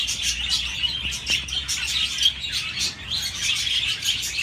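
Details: Budgerigars warbling and chirping together, a lively stream of high, twittering notes and little whistled rises, loudest near the middle.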